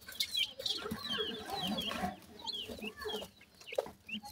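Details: Fed on termites and homemade food, grey francolin chicks give soft, scattered high peeps amid rustling and handling noise, with a low murmur throughout.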